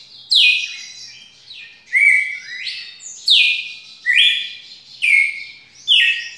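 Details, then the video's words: Long song of a red-cowled cardinal, loud bright whistled phrases that sweep down then hold a level tone, delivered at irregular intervals about once a second, with no other sounds noticeable. "Galo de campina canto longo"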